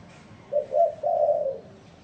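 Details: Spotted dove giving a single three-part coo: two short low notes followed by a longer, slightly falling hooted note, against a quiet background.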